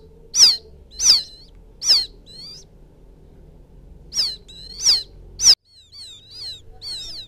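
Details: Quail chick's calling for its mother: three strong falling peeps, a pause, three more, then a sudden drop to soft, wavering chirps.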